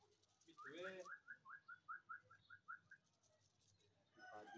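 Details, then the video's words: Indian ringneck parakeet kept as a talking, dancing pet; a faint run of about ten short, evenly spaced chirping notes over two seconds after one louder harsh squawk, with low room hum behind. "Talking indian ringneck parrot"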